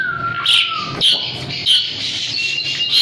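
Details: Asian pied starling singing actively (gacor), a master recording for training birds: a long falling whistle, then rapid rasping bursts with steady high hiss between them.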